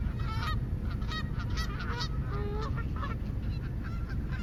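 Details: Overlapping goose honks, irregular and fairly soft, with a few longer flat cries mixed in, above a heavy low-frequency background hum.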